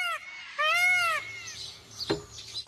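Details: In the morning on 25 December 2016 at Zoo de Labenne in the Landes forest, France, a peacock gives two loud, nasal, meow-like wails, a brief note then a longer arched one, followed by a soft knock and quiet background.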